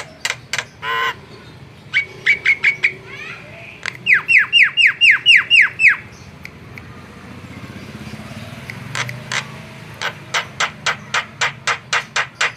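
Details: Javan myna in full, lively song used as a lure: sharp clicking notes, then a quick string of ringing, downslurred harmonic calls, then an evenly paced train of crisp ticks about four per second.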